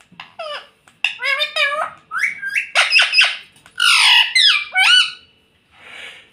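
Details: Talking pet rose-ringed parakeet that says "mummy papa" gives a rapid run of raspy, speech-like syllables and short squawks in bursts, with brief pauses, ending in a soft breathy hiss, indoors.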